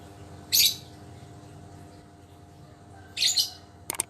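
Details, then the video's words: Pet lovebird recovering from illness, tested to see if it still sings readily, giving two short bursts of very high shrill chirping about three seconds apart, then a quick clicking double note, over a quiet hum. "Suara burung #Lovebird"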